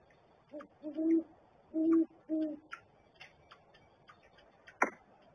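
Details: At a barrel nest monitored by camera, a great horned owl gives a short series of four low, resonant hoots, followed by soft rustles and a sharp knock near the end.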